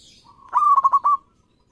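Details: Local zebra dove singing during an audition: a single mellow phrase opening with a soft drawn note, then a cluster of quick, rolling stuttered coos ending in a longer fading note.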